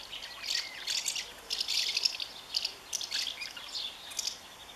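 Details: Common house martin on 20 May 2015, holding its nest even against its partner; high, sharp twittering chirps in quick bursts, pausing briefly between bursts, over a faint rural background.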